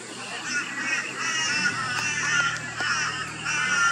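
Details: Rainbow bee-eater in Australia, calling and feeding in the afternoon or at sunset; loud, slightly buzzy trilled chirps tumble over one another, with a steady tonal hum underneath.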